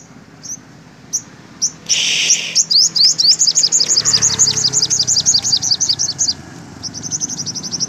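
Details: Olive-backed sunbird near houses, apparently confronting or being lured by a decoy bird during trapping, gives a fast, very high twittering run of thin descending notes, about four per second, with a brief rustling burst early on.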